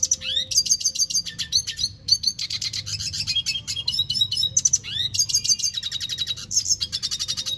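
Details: Red siskin singing steadily: a long, fast, high-pitched twittering song of buzzy trills, sharp chips and rising slurred notes, delivered in continuous pulsing phrases with only a brief pause, over faint low hum.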